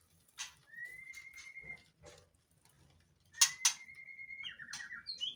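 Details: Breeding-season white-rumped shama in a captive breeding setup, singing in breeding condition: a long, even whistle, then another drawn-out whistle ending in a quick rattling trill, broken by loud sharp clicks.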